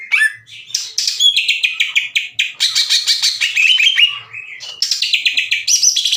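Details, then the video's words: Green leafbird singing hot, used to stir up slow-to-respond rival leafbirds: rapid, loud, varied chattering song of dense trills and sliding whistles, almost unbroken over six seconds. "MASTERAN DAN PANCINGAN CUCAK IJO LAMBAT PANAS UNTUK MEMICU EMOSI LAWAN AGAR GACOR"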